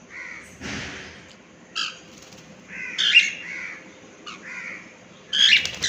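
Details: Cockatiels kept as pets call during flying practice: scratchy, rising-falling screeches in irregular bursts, some loud and overlapping, with brief wing flutters between calls.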